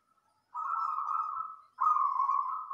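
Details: Loud, dense song of a local wild zebra dove used to train other birds: two sustained, burring coos at steady pitch, back to back with a tiny break between.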